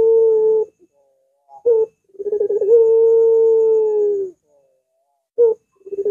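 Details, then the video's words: Long sustained dove coos, one stretching nearly two seconds, introduced by quick stuttering notes and followed by short clipped phrases, repeated with pauses between; no background noise. "Masteran Burung Puter !! Suaranya Melengkung Panjang Cocok Banget Dijadikan Pancingan Puter"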